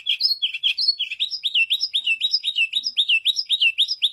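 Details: Song of a white canary, opening with a few mixed chirps and higher whistles, then settling into a fast series of identical rising-then-falling whistled notes, roughly three per second, clear and unaccompanied.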